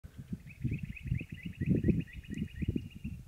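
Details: Eastern rock nuthatch at Vedi, Armenia, 26 August 2016, gives a fast, steady series of clear piping notes for about three seconds, partly masked by heavy low wind rumble.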